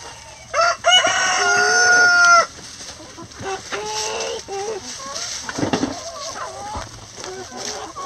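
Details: Rooster crowing inside a chicken coop while the flock scratches through a leaf pile put in for enrichment; one long, loud, harmonic-rich crow lasting nearly two seconds, followed by softer clucks and rustling leaves.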